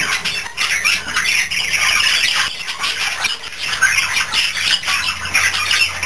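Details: Two young budgerigar siblings, one albino and one normal blue, chatter in a steady stream of scratchy chirps, squawks and warbles. They are very close and spend all their time together.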